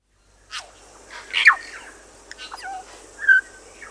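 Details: New Zealand bellbird singing on Little Barrier Island, New Zealand: a few sharp downslurred notes and a short clear whistled phrase, spaced by pauses, over a steady high background hiss.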